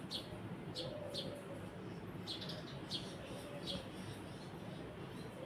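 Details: Brief, sharp chirps from a Eurasian tree sparrow, a handful of clipped notes scattered through the recording against a steady background rumble.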